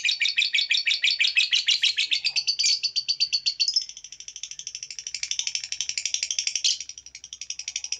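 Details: Songbird on a masteran training recording for songbirds, styled 'full tembakan': a fast run of sharp, evenly repeated chirps, about three per second, sliding into a denser, buzzy trill, then resuming rapid chirping; no other sounds.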